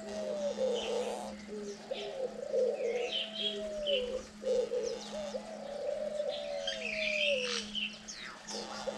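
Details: Diamond doves, native to Australia, rearing chicks on day nine with both parents feeding; a series of short low coos followed by a long falling coo, backed by chattering small birds and a low hum.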